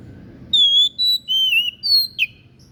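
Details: Unusual song of a white-breasted bird, offered as a tutor recording for song training: a string of clear, sustained whistles at shifting pitches, the last one ending in a short, twisted downward note, with a faint low background hum.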